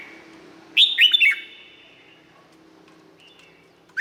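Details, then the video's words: A single phrase from a Red-whiskered bulbul, a cage bird in Thailand: three or four fast, sweet downslurred whistles with a lingering echo. Quiet follows, then another note starts right at the close. "เสียงนกกรงหัวจุก สำหรับต่อ หรือ เปิดให้นกคึก เสียงเพราะๆ"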